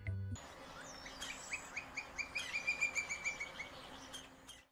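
A Campo Flicker gives a fast run of loud, ringing notes that grow stronger through the series.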